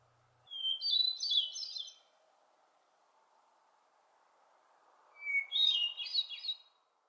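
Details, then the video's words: A Hermit Thrush sings in a forest gone quiet after mobbing: two phrases about four seconds apart, each a clear held whistle breaking into a high, fluty, echoing flourish, over a soft steady hush. "What Does the Song of the Hermit Thrush sound like?"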